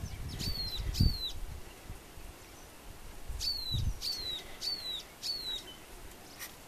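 A grassbird gives high, thin notes that slide quickly downward, two and then a run of four, about half a second apart, over low wind rumble.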